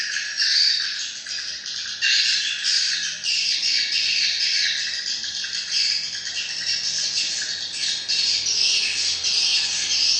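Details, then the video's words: Many swiftlets chattering together, a constant shrill wash of overlapping chirps with louder bursts every couple of seconds. "Am thanh chim yên"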